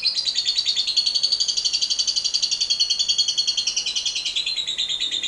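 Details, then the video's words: Lovebird's long 'ngekek' chatter, used as a lure to get other lovebirds singing: an unbroken, rapid, buzzy high trill of repeated notes, slightly wavering in pitch, lasting throughout. "LOVEBIRD NGEKEK PANJANG"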